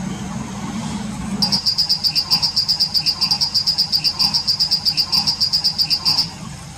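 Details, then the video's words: Wild Plain prinia singing: a steady run of rapid, high, thin notes at about eight per second, lasting nearly five seconds. A low engine-like hum comes before it, with faint background rumble. "𝗞𝗶𝗰𝗮𝘂 𝗕𝘂𝗿𝘂𝗻𝗴 𝗖𝗶𝗯𝗹𝗲𝗸 𝗦𝗮𝘄𝗮𝗵 𝗚𝗮𝗰𝗼𝗿 𝗔𝗹𝗮𝗺 𝗟𝗶𝗮𝗿"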